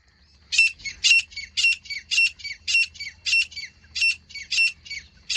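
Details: Grey francolin female (teetar), 24 January 2025, giving a steady run of harsh, squawking notes roughly twice a second, each note loud and rasping, over a quiet background.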